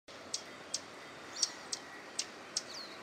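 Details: Swallow-tailed hummingbird (Eupetomena macroura) gives very high, sharp ticking chips, spaced a third to half a second apart, over soft steady hiss; singing at 07:40 on 12 August 2017 in Parque Luis Latorre, Itatiba, São Paulo, Brazil.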